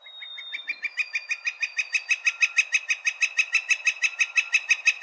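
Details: A Northern Flicker call, similar to the Pileated Woodpecker's but more even-toned and less resonant: a long run of loud, high notes, about three each second, steady in pitch and growing slightly louder, with a faint thin whistle beneath.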